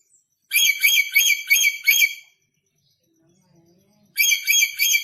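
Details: Aggressive red lory recently brought from North Maluku screeches in a fast, rasping series of about five notes, pauses amid faint low murmuring, then starts another grating burst.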